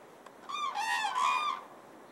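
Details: Cranes stopping over in spring at Falköping, Sweden, on their migration, among thousands gathering to dance and bond with mates; two loud, rich trumpeting notes, the second longer and slightly higher, over a quiet background.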